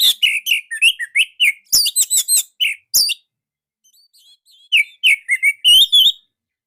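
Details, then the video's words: Orange-headed thrush song used as a lure to train young birds: rapid runs of loud whistled and chirped notes, some falling, a short pause, then another quick whistled series. "Pancingan Bunyi Anis Merah"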